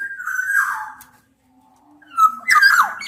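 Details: Black-naped orioles, a mix of Javan local and Sumbawa males and females, singing a challenge to rivals, used as a lure for reluctant singers: two fluty, whistled phrases sliding downward, separated by a pause of about a second.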